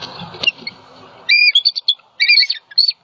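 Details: Bald eagle pair at a Southwest Florida nest, 28 December 2020, alarmed after a great horned owl attack: a noisy rustle at first, then high whistled chips in quick uneven bursts.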